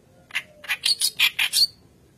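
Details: White-browed reed warbler in full song, used as a lure for young birds: six harsh, scratchy notes spaced fairly evenly over about a second and a half, each one buzzy and rich.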